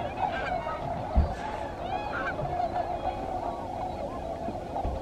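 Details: Migrating tundra swans on a rest stop at Alymer, among thousands on their way north to Arctic breeding grounds. Many birds call at once in a continuous murmur of mellow honks and wavering whoops, with a low bump near the middle.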